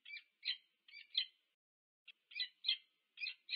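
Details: Peregrine falcons, a pair meeting at the nest, UC Berkeley, USA, 2 November 2022: rasping, slurred calls in twos with a short gap midway, fainter and slightly more drawn out.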